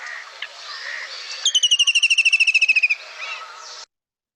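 White-throated Kingfisher giving a shrill, rattling whinny of about twenty quick notes in under two seconds, sliding slightly downward, over faint background noise.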